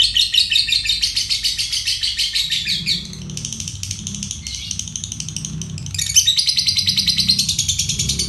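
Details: Fighter lovebird ngekek konslet, a long trill used for training other songbirds: bursts of rapid scratchy chirping, a quieter lull in the middle with a low background hum, then the rapid pulsed trill returns strongly.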